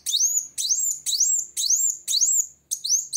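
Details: Van Hasselt's sunbird's challenging song: five or six loud, ringing high notes, each a long upward slur, repeated about twice a second with no other sounds.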